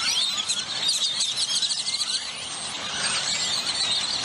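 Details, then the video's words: Massed grackles near the McAllen–Hidalgo International Bridge in McAllen, Texas, a dense wash of overlapping squeaky, whistled and shrill calls from many birds at once, with steady background rumble. "Pleasant Grackle Sounds to Relax to in McAllen, Texas"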